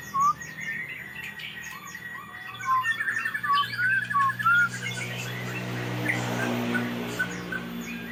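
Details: Magpie-robin described as sulking, singing a run of short whistled slurred notes and twittering phrases for about five seconds, then fading into a low steady hum with faint background noise.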